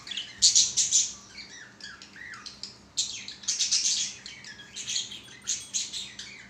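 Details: Budgerigars kept as pets sing during play: dense, scratchy warbling of high chirps and rasping squeaks, delivered in quick rhythmic bursts throughout.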